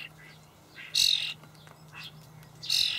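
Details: Starling young being fed dried buffalo worms by parents in a Hamburg allotment garden, 28 May 2012: two strong, harsh, buzzy screeches about two seconds apart, with faint calls between and a low background hum.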